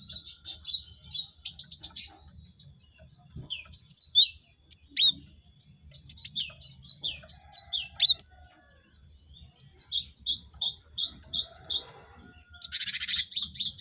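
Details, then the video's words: Cinereous tit lure song for caged birds. Runs of sharp high repeated notes and slurred whistles in several phrases, with one brief harsh buzzy burst near the end. "Pancingan gelatik batu untuk merangsang burung ombyokan cepat bunyi"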